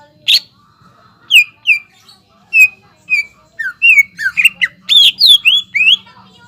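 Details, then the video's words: Greater green leafbird song played to provoke other birds into singing: loud, sharp whistled notes sliding down and up, spaced at first and then crowded into a rapid, varied burst toward the end, over a faint low hum. "PANCINGAN CUCAK IJO GACOR INI MAMPU MENAIKAN EMOSI IJO BAHAN AGAR BUNYI GACOR"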